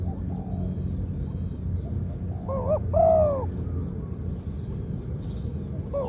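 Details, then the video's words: Spotted dove with a medium voice and a two-'kuk' 'koo-ang' song, kept in mind as a ground decoy. After soft murmurs, one loud double coo phrase sounds, with another just starting at the end over steady low rumble. "2 กุก คูอ่าง คารม เสียงกลาง ตัวนี้น่าเก็บทำนกต่อครับ นกเขาใหญ่ต่อดิน เสียงนกเขาใหญ่"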